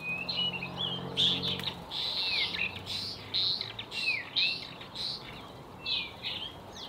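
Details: At its nest, a White-rumped swift stands its ground and screams to drive off intruding swifts. Loud, shrill, downslurred screeching notes repeat roughly once or twice a second, with a steady low hum beneath.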